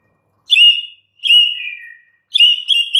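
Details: White-rumped shama, a caged bird, giving three loud clear whistled phrases, each slightly falling, separated by short pauses.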